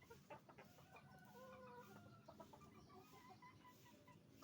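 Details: Roosters and hens at a chicken farm: dense, overlapping clucking and a few drawn-out squawks from many birds, with a constant low barn hum beneath.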